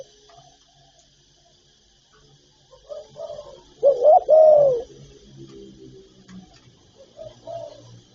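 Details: Spotted dove, from a recording of calling, urging and cooing phrases: faint low murmurs, then one loud burst of three quick coos ending in a long falling note, with soft background rumbles.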